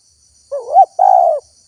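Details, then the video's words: Spotted dove lure call meant to bring in wild doves: a single phrase opening with a wavering, rising coo that swoops up, then a longer level hooting note, low-pitched and clear over a faint hiss. "SUARA TEKUKUR GACOR PALING AMPUH UNTUK PIKAT BURUNG LIAR"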